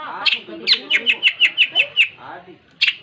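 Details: Long-tailed shrike in lively, continuous song: a fast run of about eight evenly spaced, sharp chirping notes, each slurring downward, framed by harsher squawky notes at the start and end.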